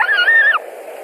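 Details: At a Latvian white-tailed eagle nest on an evening in July 2020, as one adult returns to its mate: a single short whistle, slightly wavering and then falling away, followed by quiet background.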